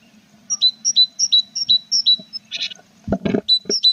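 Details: At a tit nest box on 21 April, chicks gaining feathers: a steady series of about eight clear two-note calls, high then slightly lower, a short raspy burst, loud knocks in the box, then more two-note calls.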